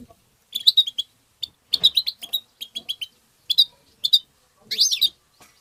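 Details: European goldfinch tabta song for stimulating goldfinches, with rapid jingling twitters and chirps in dense bursts and a rising buzzy note near the end; background otherwise quiet.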